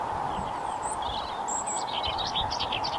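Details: Male common whitethroat singing on breeding territory at Rainham Marshes, Essex riparian marshland: a brief, scratchy, fast warble of high chattering notes in the second half, over steady hum and broad noise.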